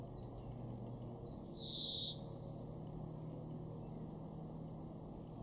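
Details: European greenfinch in a garden at Weener, East Frisia, northwest Germany, in May 2021: one drawn-out, nasal, downward-sliding note lasting under a second, over steady low background hum.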